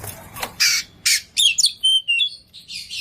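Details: Oriental magpie-robin in full varied song, meant to prompt quiet birds to answer: harsh buzzy bursts alternate with clear high whistles and thin sliding notes in an uneven, energetic sequence.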